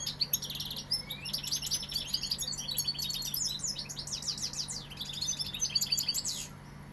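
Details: Sevillian goldfinch song: a fast, continuous stream of high liquid twitters with one thin rising whistle early on. Buzzier trilled bursts near the end, then a quieter tail, over a faint steady hum.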